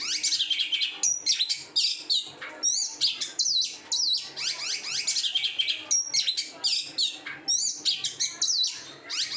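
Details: A caged oriental magpie-robin sings continuously, mixing piercing whistles, buzzy trills and rapid chattering phrases in bursts roughly every second, with no other sounds.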